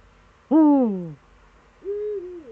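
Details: Eurasian eagle-owl in the Eifel, 26 September 2013, around seven in the morning: a loud, harmonic, descending call lasting over half a second, followed by a smooth arched hoot.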